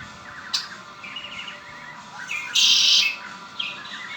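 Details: A red-winged blackbird kept as a pet makes a short stutter of notes, then a loud, wide, rasping buzz about half a second long. Brief upslurred chirps follow.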